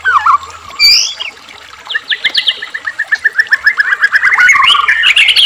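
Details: White-rumped shama song used to provoke captive shamas to sing: a few loud varied whistles, then a long run of rapid, rhythmic mid-to-high notes rising toward the end.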